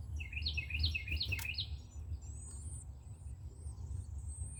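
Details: A Carolina wren nesting on an outdoor shelf sings four fast repeated whistled phrases, followed by thin, very high drawn-out whistles from another bird, with a low hum throughout.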